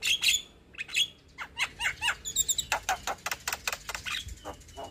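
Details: A young captive Javan myna in full song, used as a tutor and lure for other mynas, sings a busy run of sharp chirps, whistles and harsh clicks, several notes per second, mostly high-pitched.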